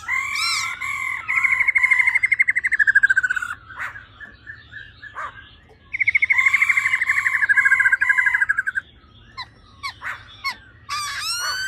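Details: Two long buzzy trilling phrases from a female laughingthrush, each sliding slightly downward, separated by a pause with scattered clicks; these 'ro ro' calls are meant to stir males quickly.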